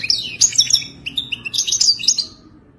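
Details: Wadani-style song of a European goldfinch: quick chattering phrases of sharp, bright chirps and trills in two clusters, fading out at the close.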